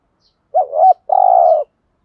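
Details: Spotted dove cooing, 'giọng thổ' voice, used to prompt decoy birds to answer: a quick double-inflected low note pair followed by a sustained, slightly trilled coo. The surroundings are silent.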